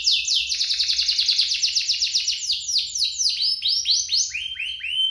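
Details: Two canaries singing, used to prompt other canaries to sing and as tutor song for young canaries: fast continuous buzzy trills in high rolling series, each note sweeping downward, about four per second, ending in brighter separate rising whistled phrases.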